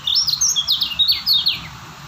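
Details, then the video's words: Loud, close white-eye from Lombok, locally kecial kuning and called a stable singer, delivers a brisk stream of high, clear slurred whistles and chirps for about a second and a half. "Lombok Kecial Kuning si Joker burung Stabil"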